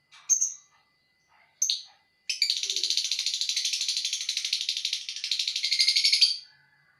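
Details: Lovebird giving the ngekek song. Two sharp chirps lead into a long, rapid, buzzing chatter that runs unbroken for about four seconds.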